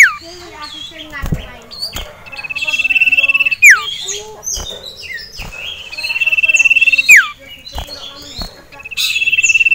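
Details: Caged male sirtu, agitated at the sight of a rival male and a female, sings loud high rapid rattling trills in bursts about every three seconds, mixed with sharp downslurred whistles and scattered chirps; clicks in the background.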